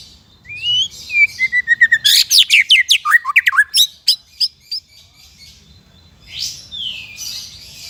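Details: White-rumped shama used for training songbirds: a long descending whistle leads into a fast run of sharp repeated notes, about three a second, fading out, then a faint rising whistle near the end.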